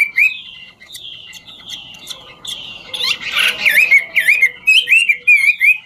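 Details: Chinese hwamei in 'ngũ trường' style song while dancing: a few drawn-out whistled slides, a harsh noisy burst, then rapid wavy whistled notes repeated in quick succession.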